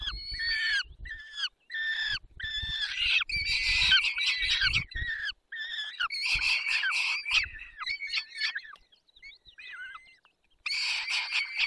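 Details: Peregrine falcons at a feeding, Barycz Valley, 20 May 2021, 10:22: rapid harsh squealing notes, about three per second, building into a noisy chorus, a brief quiet patch with soft chips, then loud squeals again. Low thumps beneath.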